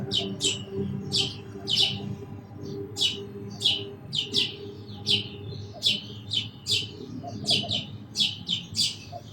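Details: Sparrow chirping persistently, bright clipped notes repeating about twice per second, some doubled, over low background hum.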